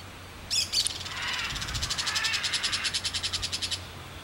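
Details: A Crested Caracara gives a couple of sharp notes, then a dry, harsh rattle of rapid clicking pulses, about eight a second for two seconds.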